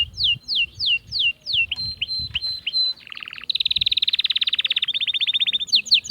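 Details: Song of an Atlantic canary, used to excite hens for breeding. It opens with repeated downward-sweeping whistles, moves to short clipped notes and a lower rattle, then a loud, very fast rolling trill and brief swept notes.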